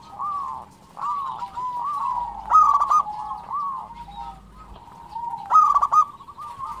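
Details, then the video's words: Singing perkutut, a local zebra dove: a series of rolling, wavering coos, then loud, fast, clipped coo bursts near three and five and a half seconds, with quieter cooing in between. "SUARA perkutut lokal gacor"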